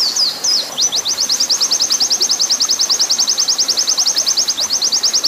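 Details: Oriental white-eye long 'nembak panjang' master song for training: opening swooping whistles, then a brisk, even run of thin, sharp high notes sustained to the end.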